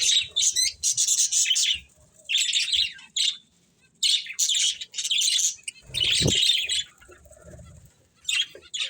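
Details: Chattering budgerigars: loud, buzzy chirp bursts separated by short silences, with one low thump partway through.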